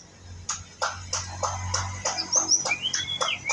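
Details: Young white-rumped shama (pistol-tailed type) practising song: a series of sharp clicking notes about every third of a second, then clear whistled slurs, one long arching whistle rising and falling, over low hum.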